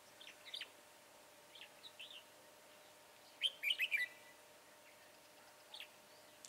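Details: Red-whiskered bulbul recorded during trapping with a decoy bird on 22 January 2018: a quick burst of four or five short, bright warbled notes, preceded and followed by scattered single chirps against a quiet background hiss.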